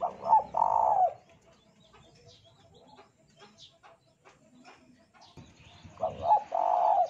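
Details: Spotted dove song played as a lure for other doves: two phrases of broken coos and long hoarse notes about five seconds apart, with soft clicks and chirps in between.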